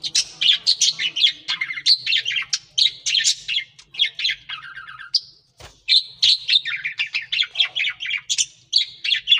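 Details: Budgerigar breeding colony chatters constantly, a dense stream of high, scratchy warbles and chirps from several birds.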